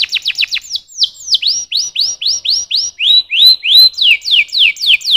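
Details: A canary sings a clear repeated tour of down-slurred whistled notes, about four per second, gradually shifting lower in pitch and growing louder, then speeding into quicker descending notes; quiet background.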